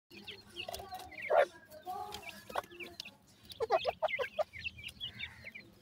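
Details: Grey francolin (Ortygornis pondicerianus) chicks calling their mother give a busy jumble of short, high peeps and lower clucking notes in quick bursts, with a faint background murmur.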